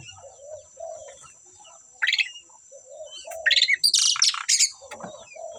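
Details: Asian pied starlings singing as a pair, short bursts of harsh, rasping chatter and squeaks separated by pauses, with soft low hooting notes repeating in between and a faint constant high hiss.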